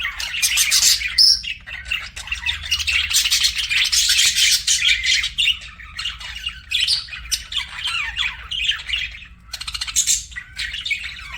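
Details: Pet budgerigars in a lively chirping session: bursts of scratchy chattering and high squeaky notes, loud then briefly softer, with irregular pauses.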